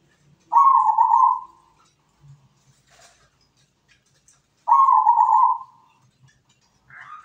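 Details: Perkutut, the zebra dove, in full song for training other birds: two loud, slightly falling cooing notes about four seconds apart, with near silence between and a faint soft note at the end.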